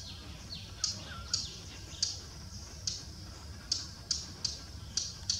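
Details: Thick-billed warbler in Buxa, India, calling nonstop from the bushes: hard, clipped tack notes about ten times at uneven intervals, with a faint squeaky sound early on and low background hum.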